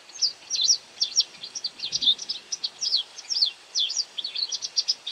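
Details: While feeding on insects, a white wagtail keeps up a near-continuous string of high, quick chirps and zigzag twitters, closely spaced, with a faint low bump midway and light hiss.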